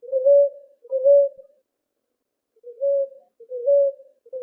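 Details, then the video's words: Ruddy ground dove song, used to attract and call the species: soft, low, hollow coos, each slightly rising, in pairs with a pause between, about five notes in four seconds, nothing else heard. "CANTO PARA ATRAIR E CHAMAR ROLINHA ROXÁ"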